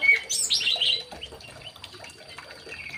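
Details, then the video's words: A young male white-rumped shama, caged in an aviary, opens with a sharp whistle and a rapid high twittering burst, fading into faint scattered chips. "CIRI CIRI MURAI BATU TROTOLAN JANTAN"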